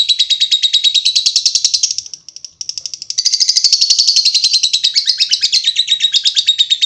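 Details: Long lovebird chatter, a fast stream of shrill, scratchy high notes pulsing several times a second, dipping briefly in loudness midway before surging back and rattling on steadily.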